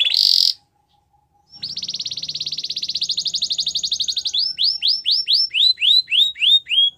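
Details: Belgian canary in song for teaching a silent bird to sing: a short high burst, about a second of silence, then a fast even rolling trill that breaks into repeated downward whistled sweeps.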